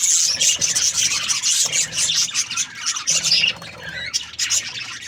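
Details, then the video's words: Busy budgie chatter: a continuous high, buzzy warble mixed with quick twittering squeaks, dipping briefly around the three-second mark before resuming. "Budgies Parrot chirping sound | parakeet sounds"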